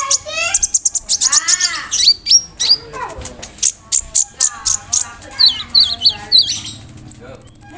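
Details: Konin bird song full of imitations of cricket, brem, kamade and rambatan, used as a master song for other cage birds; fast high ticking runs, arching swept whistles, looping notes, and a sustained thin high tone at the close.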